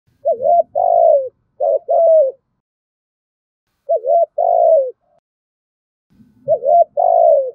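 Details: Spotted dove giving loud lure calls in the thúc gù style to draw other doves: paired hoarse coo phrases, a short rising note then a longer falling one, repeated in three bursts with pauses and soft low rumbles between.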